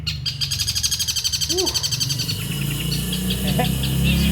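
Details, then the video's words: Prize-winning caged long-tailed shrike singing in the 'tembakan tengkek buto' manner: a rapid, steady string of high scratchy notes about four per second, which then fades into softer chirps over low background hum and brief human voice. "BURUNG PENTET PRESTASI TEMBAKAN TENGKEK BUTO"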